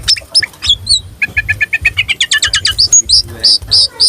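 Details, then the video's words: Caged tame oriental magpie-robin singing with tail fanned to provoke rivals: a rapid run of even, repeated chirps rising in pitch, then clear whistles and sharp high notes, over a low background hum. "Kacer gacor jinak buka ekor"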